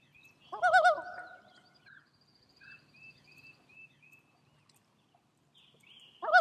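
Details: Loon tremolo: a short, quavering, laughing burst, faint whistled notes repeated softly in between, then another wavering burst at the end in otherwise quiet surroundings.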